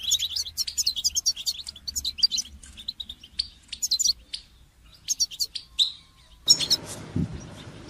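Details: Goldfinch song used for song training: rapid twittering bursts of bright, tinkling notes with buzzy trills, pausing briefly mid-clip, then a noisy section with a low thump near the end.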